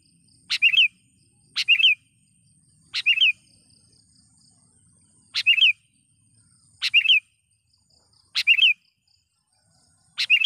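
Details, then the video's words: Lively sooty-headed bulbul calling out to a rival, a recording meant for luring wild birds: seven crisp, quick two-part chirped phrases, spaced regularly over about ten seconds with quiet gaps, a faint high steady tone running behind. "suara BURUNG KUTILANG gacor memanggil lawan"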